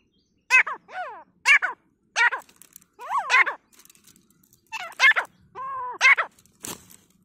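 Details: Grey francolin fighting in a forest: loud, harsh, ringing notes with strong overtones. Each note bends down in an arch. About seven calls in seven seconds, some paired or stuttered, with brief quiet gaps and a sharp click near the end.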